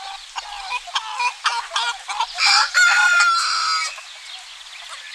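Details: Domestic roosters and hens on a spring morning in a Greek village: a run of short clucks, then a loud sustained crow around the middle, with background birdsong.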